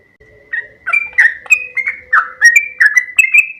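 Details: Sooty-headed bulbul, called trucuk kebo, singing loudly: a rapid run of bubbly whistled notes, each jumping between low and higher pitches, about two or three notes a second, with a steady faint tone in the background.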